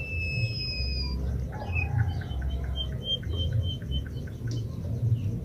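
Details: White-headed munia, known locally as emprit kaji, opens with two long, thin, high whistles that fade downward, then a run of short, repeated chips follows against a constant low rumble.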